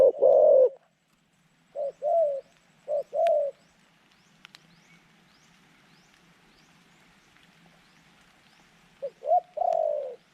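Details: Zebra dove decoy for trapping wild doves; a loud coo opens, then a few softer two-part coos, a quiet stretch with clicks, and a closing rolling phrase.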